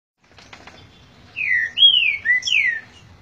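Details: Green-winged Saltator singing the 'boi' style of song: a short phrase of loud, clear whistled slurs, mostly falling, with a brief rising note near the end, over quiet low background noise.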